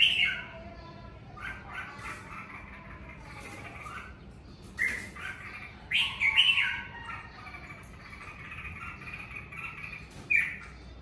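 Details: Caged red-whiskered bulbul at home in covid season giving 'ché' song: short loud whistled flourishes repeated every few seconds, separated by softer warbling chatter, with steady faint background hum.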